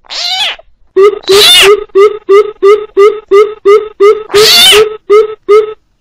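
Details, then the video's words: Coucal calling in a lure recording mixed with frog calls for trapping: evenly spaced deep hollow notes, about three per second, with two loud harsh bursts among them and a short nasal sound at the start. "TIẾNG BÌM BỊP KÈM TIẾNG NHÁI KÊU DÙNG ĐỂ BẪY THÒNG - CHIM BÌM BỊP MỒI"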